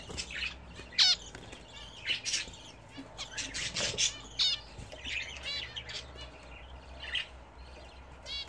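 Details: Pet budgerigars in a home cage at their first bath in an attached bath. Continuous chattering chirps, clicks and falling whistled tweets overlap, with occasional wing flapping.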